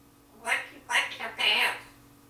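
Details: A 19-month-old female Timneh African grey parrot, a household pet, imitates words from her favourite song: three high, speech-like vocal bursts with nasal, voice-like tone, the last one drawn out.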